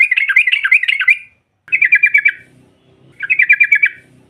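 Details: Sooty-headed bulbul (trucukan) female calling to provoke rivals: three short bursts of quick, buzzy rattling notes, the first longest, separated by brief pauses with faint low background noise.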